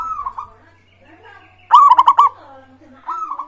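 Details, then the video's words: Local zebra dove singing as a lure for other birds: one loud, fast rattling phrase of cooing notes between softer, fainter phrases at the start and end, over a low steady hum. "pancingan burung perkutut gacor suara disukai bikin cepat bunyi langsung nyaut manggung gacor"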